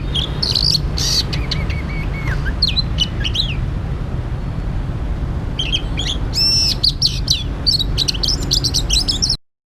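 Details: Oriental magpie-robin recorded while being trapped, giving loud bursts of clicks and whistles, then quieter slurred notes, then a strong run of looping high whistles near the end, over a constant low hum until the sound cuts off.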